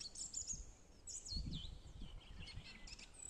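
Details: Birds singing on a forest bog: quick high chirps and thin whistled slurs, several notes in a row, over a low steady rumble.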